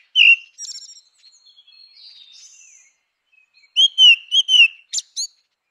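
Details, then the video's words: Grey-winged blackbird: a loud whistled note, soft twittering, then a fluid run of rolling, looping whistles and a sharp high downslurred note, then quiet. "Canção do melro com asas cinzentas! Som de melro com asas cinzentas!"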